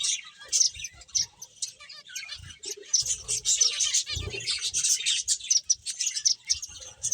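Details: Finches at play produce a thick, busy chatter of high chirps and twitters, with some lower murmuring sounds mixed in around the middle.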